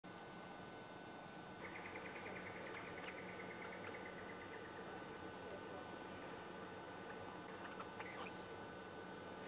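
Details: Eastern yellow robin at O'Reilly's Rainforest Retreat, Australia, 27 April 2001, evening: a quick, even run of high piping notes, falling slightly over about three seconds, with a steady low hum and a few clicks behind.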